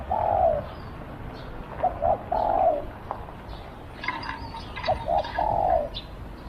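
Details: Decoy spotted dove luring wild doves outdoors, phrases of two brief notes then a drawn-out descending coo, repeated about every three seconds, with faint chirping birds in the background.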